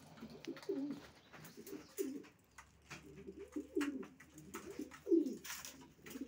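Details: Several low, gurgling coos from racing pigeons, each a rolling throaty phrase about a second apart, louder toward the end, with scattered taps and wing shuffles.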